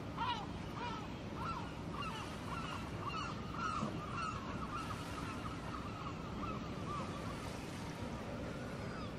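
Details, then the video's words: Lakeside gulls call in a quick, uneven string of harsh, upward-then-falling cries, roughly a dozen in the first half, fading into softer calls against a steady rushing background. "ASMR Seagulls Sounds"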